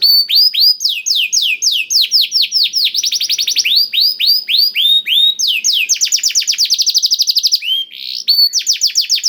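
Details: Canary singing a blackthroat-filled (isian blackthroat) song, played as a lure to make canaries sing quickly: fast rattling trills alternate with series of high, downward-swept whistled notes, about four per second, changing pace throughout.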